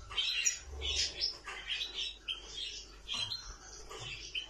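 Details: Nightingale uttering a busy run of high chirps and short warbled phrases, loosely repeated more than once a second, with a faint low hum beneath.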